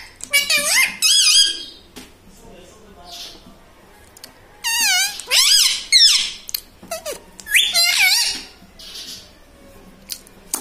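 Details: Pet ringneck parrot indoors talking, repeating learned words like mummy, papa and radhe radhe; several quick high nasal phrases with wobbling pitch come in clusters, separated by short silent gaps.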